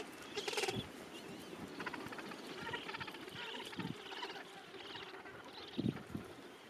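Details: End-of-summer Gentoo penguin breeding colony holding thousands of birds; a sharp squawk opens, then a long, pulsing, braying call with rhythmic harmonic beats, and a few low grunts near the end.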